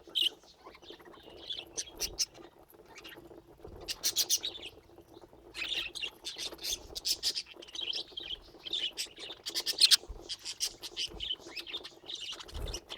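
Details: Pet budgerigars chatter in a rambling stream of high chirps, rapid clicking bursts and warbled phrases, with short quiet gaps between louder spells and a low bump at the very end.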